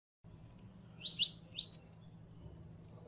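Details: Saffron finch (canario criollo) giving a few sharp high chirps and short thin whistles, spaced irregularly over a faint low hum.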